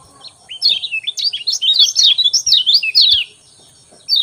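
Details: In the morning, a lemon-bellied white-eye's 'ciak ciak' song, played to get reluctant birds singing: a continuous fast, high warble of wavering slurred notes, about three seconds long, then a brief pause and one more chirp.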